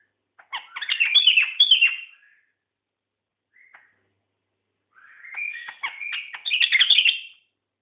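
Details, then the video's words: White-eared bulbul, seven years old and rarely found, delivering two loud bursts of rapid chattering, twittering notes lasting about two seconds each, separated by a brief soft note and a pause. "White ear bulbul"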